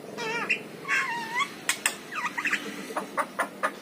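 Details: A yellow-eyed Javan myna opens with wavering, warbled whistles rising and falling, then shifts to dry clicks and harsh rasps; meant for luring pet mynas into song.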